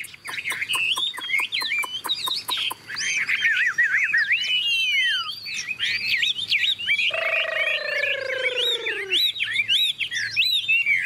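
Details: Caged Chinese Hwamei, a tame, big-built bird with yellow legs and beak, sings while heavy rain starts: a dense stream of rising and falling whistled phrases with a lower drawn-out descending note in the middle.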